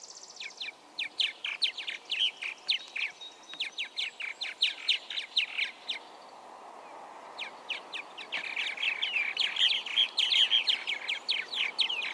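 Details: Purple martins at a colony in Bernheim Forest chatter steadily, a dense mix of rapid chirps, gurgles and creaky notes from several birds at once, with a brief lull midway.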